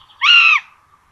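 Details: Common buzzard at a nest holding two chicks in Tiszalök, Hungary, 26 June 2022, during a rabbit feeding. A single harsh, drawn-out mewing squeal lasts about half a second, level and then dropping away, over a faint steady hum.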